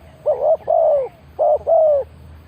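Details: Spotted dove decoy call for luring wild birds: two soft, low cooing phrases, each a short coo followed by a longer drawn-out falling coo, over a faint low hum.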